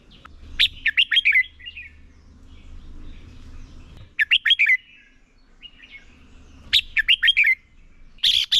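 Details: Red-whiskered bulbul decoy bird singing competitively to train other bulbuls; the same quick phrase of five or six slurred whistles repeats roughly every three seconds, with a low hum underneath and a final burst of sharp chirps.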